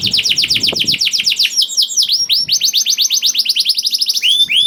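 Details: Young canary singing to prompt other canaries to join in: long run of fast downward-sweeping whistles, changing into quick chattering trills and a rising whistle at the end.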